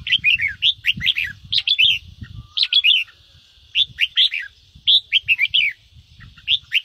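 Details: Red-whiskered bulbul 'ché'-style song for coaxing newly caught birds to answer: lively series of short warbled notes in quick clusters over nearly seven seconds, with a low rumble in the background.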